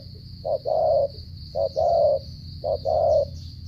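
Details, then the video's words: Spotted dove, Cà Mau, Vietnam, delivering a stuttering coo of three clear pairs, each a short low note then a longer resonant coo, spaced about a second apart over a faint steady high whine. "thổ trận âm tốt giao long lở gù cà lăm"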